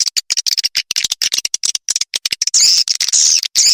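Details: Lure recording for attracting swiftlets, a fast train of sharp clicks followed by long shrill buzzy chirrups near the end, very loud with clean silent gaps.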